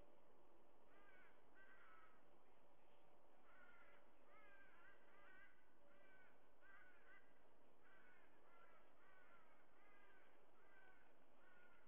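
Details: White-bellied sea eagle at its nest, picked up by a live nest camera: a long run of harsh, honking, goose-like notes, roughly one per second with short gaps, over steady low hum and hiss.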